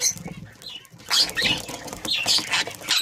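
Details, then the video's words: Budgerigar breeding pair giving a few sharp, high chirps with a rough, buzzy edge. They come in short bursts about a second apart over soft rustling and clicks. "Breeding pair budgie"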